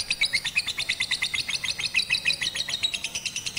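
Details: Caged lovebird in song training on a rooftop with a master recording, 18 April 2021 during Ramadan, to make it sing longer and more often: rapid, even run of sharp high chirps, about three per second, over faint low background noise.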